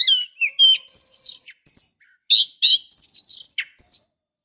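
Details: Calls of a female oriental magpie-robin meant to excite a male: high, thin chirps and buzzy twitters in short clustered bursts separated by brief silences.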